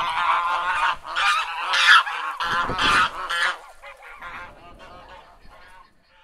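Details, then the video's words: Domestic geese giving loud, repeated nasal honks roughly once a second at first, then fading to softer, scattered calls toward the end. "Domestic Geese Sound"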